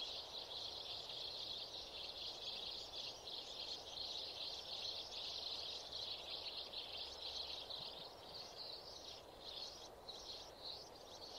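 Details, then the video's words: Sparrows used in sparrow trapping, nearly mature birds: a dense, continuous run of high, overlapping chirps, several calling at once over a steady background hiss. "Bẫy Chim Sẻ Chớm Già"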